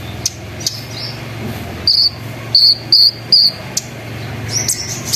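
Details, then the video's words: Sunbird lure recording meant to set other sunbirds singing, with trilling, rolling, shooting notes. A few short, high, squeaky chips come in a loose group of four, over a steady low hum. "PANCINGAN KONIN NGERIWIK NGEROL NEMBAK GACOR BIKIN KONIN LAIN IKUT BUNYI"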